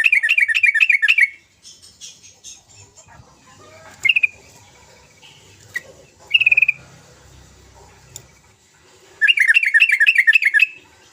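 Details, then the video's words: Lively sooty-headed bulbul song as lure material for quiet birds: a rapid run of rich repeated notes opens, sparse chirps and faint background twitters follow, and another fast run of about eight notes closes. "Kicau trucukan gacor"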